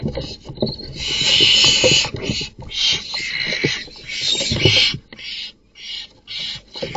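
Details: During a nocturnal nest box attack, an intruding male barn owl kills another male's chicks. Continuous loud harsh screeching and hissing runs in overlapping bursts, with struggling thuds beneath, fading into choppy short rasps.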